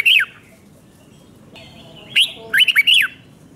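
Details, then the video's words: Red-whiskered bulbul, Thailand, giving the 'double 2, double 3' five-syllable song for young birds to copy: two single whistled notes, then a brisk phrase of four bouncing, falling whistles. "เสียงนกกรงหัวจุกเบิ้ล2 เบิ้ล3 เพลง 5 พยางค์"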